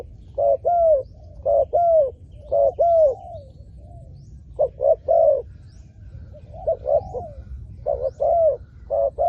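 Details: Repeated cooing of a spotted dove kept to lure wild doves: brisk series of short hollow notes and slightly falling longer coos, broken by a brief pause midway, with soft background noise.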